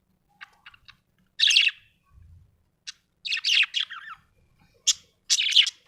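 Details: Happy budgerigar chirping: short scattered ticks, then bursts of scratchy, buzzy warbling chatter in clusters about a second long, separated by brief silences, indoors.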